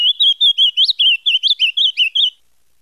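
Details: Ultramarine grosbeak (Cyanoloxia brissonii) from Paraná, Brazil, sings a quick warbled phrase of about a dozen sweet, slurred whistled notes, rising and falling over two and a half seconds.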